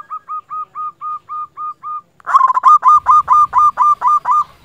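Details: Local zebra dove lure song for drawing and provoking rivals: an even series of soft, hooked cooing notes at steady pace, then a louder, harsher run of similar notes repeated about three times a second.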